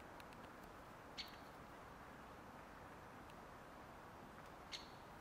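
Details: Great spotted woodpecker in Karlovško predmestje, Ljubljana, Slovenia, on 30 January 2024, gives two sharp, high 'kik' notes about three and a half seconds apart over a steady low hum of distant traffic.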